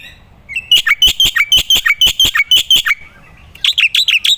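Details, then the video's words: Black-winged myna in vigorous gacor song, used as a lure and training recording for songbirds: a run of loud, sharp, chattering notes repeated about three times a second, a short pause, then a faster burst of high notes. "pancingan dan burung masteran jalak putih gacor"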